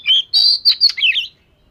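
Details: Oriental magpie-robin, fish-scale variety, training its voice: loud, clear whistled notes run into scratchy trills and downward slurs in a quick, varied burst of song.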